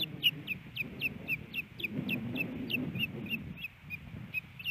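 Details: Thinner, quieter chirped whistles in a quick run, over a noticeable low rumble, from a female osprey at a Montana nest expecting a fish from her mate after a snowy April morning.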